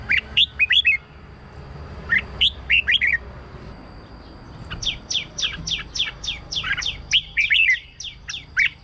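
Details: Red-whiskered bulbul song, kept as a caged bird, played as a decoy or to excite other birds: two brief phrases of bright chirpy notes, then from midway a fast, continuous run of sharp downslurred whistles, over a faint steady hum.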